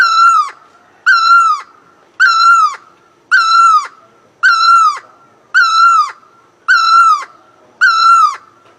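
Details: Great Asian barbet singing: eight loud, nasal wailing notes, each slightly falling and about half a second long, repeated steadily roughly once a second against a quiet background.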